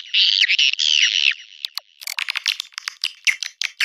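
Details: Swiftlet mating call: two long, harsh, buzzy notes with downward slurs, then a scattered series of sharp clicks and short chirps.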